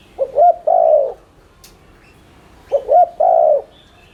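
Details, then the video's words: Spotted dove lure calling: a short double hoot leading into a long throaty coo, the phrase given twice about 2.5 seconds apart, the background otherwise quiet. "Cu gáy THÚC Liên Thanh kích bổi,mồi ức chế nhanh gáy/kích bổi nhanh nổi"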